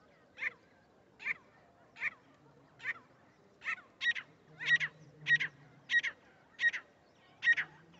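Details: Grey francolin calling, a call used as a lure for trapping; loud harsh notes repeated roughly every 0.7 seconds, growing louder and more complex toward the end, over a quiet background.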